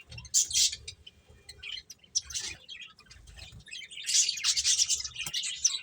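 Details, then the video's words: Finches playing and chirping: sharp bursts of high chirps at the start, a quieter stretch of scattered notes, then a loud run of twittering toward the close. "Cute Birds Chirping Sounds | Beautiful Finches Playing"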